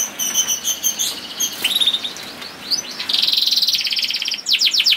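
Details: Canary singing in a masteran lure recording, partly masked by steady background hiss: scattered high chips, then a dense rolling trill and a few swooping whistles at the end.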